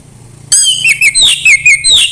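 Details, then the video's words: Orange-headed thrush in 'embun pagi' style, a recording used to encourage a thrush to sing, delivering a short series of clear, down-slurred whistles in quick succession over faint background hum. "anis merah sulit gacor coba PUTAR suara burung ini | SUARA EMBUN PAGI"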